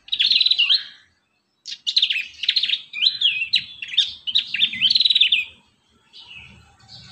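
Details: Prinia; song; tutoring young prinias to learn song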